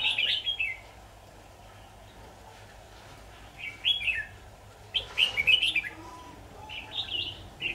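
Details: Red-whiskered bulbul song from a decoy-bird trapping session, 23 October 2019: loud, clear warbled phrases rising and falling, given in bursts separated by quiet gaps of one to three seconds.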